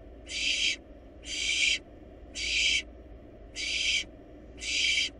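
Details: Wild barn owl nestlings in a research nest box, eating a large rabbit: five loud breathy hisses, each half a second long, evenly spaced about once a second, with low background hum.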